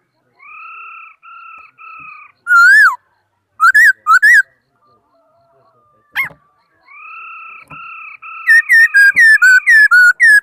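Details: Laughingthrush song made of long, even, flat whistles mixed with loud, looping, rise-and-fall whistled phrases, ending in a rapid run of short, bright notes. Quiet gaps separate the phrases.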